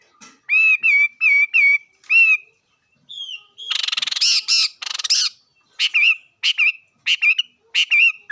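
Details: Singing bird: a row of short, regular whistled notes, then a harsher, buzzy, rattling passage, then spaced whistled chirps repeated about every half second.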